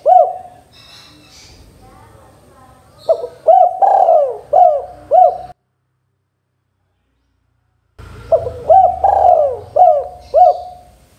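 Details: Cooing of a spotted dove (tekukur) singing briskly, meant to make other doves reply: a soft opening coo, then a phrase of short upturned coos with one long falling note, a silent break, and a second similar phrase.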